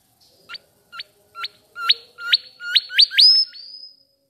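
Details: Mangrove whistler chirping sweetly in South-east Asia: sharp downstroke notes repeating faster and louder, about nine in all, running into a sustained rising whistle.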